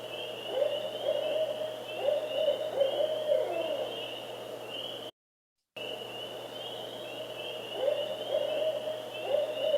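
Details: Barred owl (Strix varia) song: deep, rhythmic hoots in the 'who cooks for you, who cooks for you all' pattern with rising and falling inflections, over a faint steady high hum broken by a brief silence.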